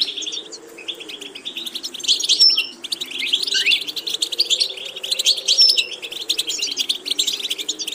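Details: Goldfinch song meant to teach a goldfinch diverse repetitions: lively high twittering phrases with buzzy trills and sharp chirps in surges, over a soft continuous low hum.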